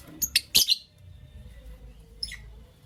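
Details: Creamino and lutino opaline lovebirds chirp in the morning, giving a quick cluster of three or four sharp, bright, high chirps, then a pause and one more chirp near the end.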